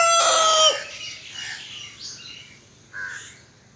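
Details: Rooster crowing: a loud, harmonic-rich crow rising then dropping off sharply within the first second, followed by softer, fainter chirps and calls in the background.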